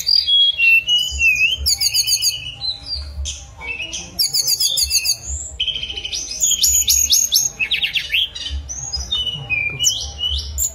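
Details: A mangrove blue flycatcher sings a lively string of high whistled glides, descending slurs and quick stuttering note series, phrases following closely one after another against a low-pitched hum.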